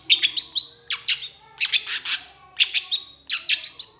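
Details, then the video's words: Long-tailed shrike pouring out harsh, scratchy chattering phrases laced with sharp high whistles in quick bursts about every second, a recording played to stimulate silent or stressed caged shrikes into song. "Cendet Gacor Emosi"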